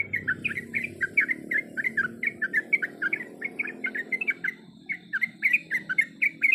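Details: Sooty-headed bulbul female calling to the male, a steady string of short, lively chirped notes in small clusters, a brief pause near five seconds, with a faint low hum underneath.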